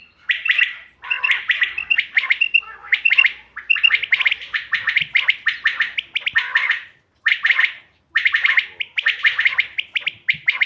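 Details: Quail (bater) sounds played for hunting, 5 June 2025: dense runs of sharp, scratchy chirps repeated in fast clusters of several notes, separated by brief gaps, with a few clipped whistled notes.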